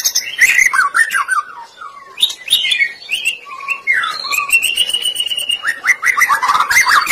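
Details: Shama lure song, white-rumped shama: energetic mix of fluty whistled notes, short slurs and dense trills, with staccato chips scattered throughout, a continuous rich stream of sound.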